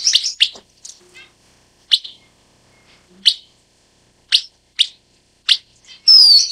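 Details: Isolated sharp, high chirps from a broad-tailed paradise whydah, repeated at uneven intervals of half a second to a second, ending in a bright, falling whistle.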